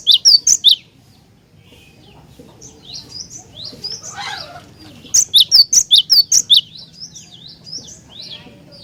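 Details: A cinereous tit sings vigorously to get other tits singing. A short burst of sharp high notes, a quieter stretch of chirps and a brief rustle, then a long run of about nine ringing repeated notes with softer chirping.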